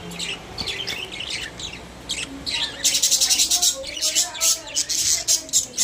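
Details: Budgerigars, social pet parrots in a cage: scattered soft chirps at first, then from about three seconds loud rapid high chattering and squeaky warbles in quick pulsing bursts.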